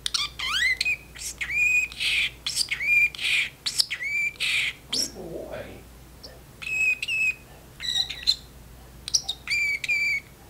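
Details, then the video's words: Talkative caged parrotlet running through its vocabulary indoors as the owner washes dishes; clear whistled, word-like phrases with rising notes, repeated roughly every second with short pauses and a brief low clatter midway. "talking parrotlet"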